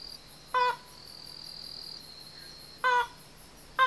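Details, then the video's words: Banded crake in the wild, unseen in a dark thicket on Yonaguni Island, Japan, giving brief, hoarse, harmonic calls roughly two seconds apart, with a continuous shrill insect chorus behind them. "オオクイナ（2）鳴く（待つこと1時間） - Banded crake"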